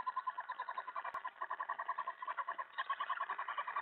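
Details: Mouse delivery during an owl feeding at 2:07 AM, 25 July 2017: fast, steady chittering twitters, roughly three or four notes per second throughout, with a sharp click near the middle and rising intensity toward the end.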